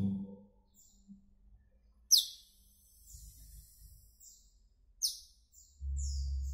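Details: Asian glossy starling with two sharp, high descending chirps about three seconds apart and fainter notes, over intermittent low rumbling noise.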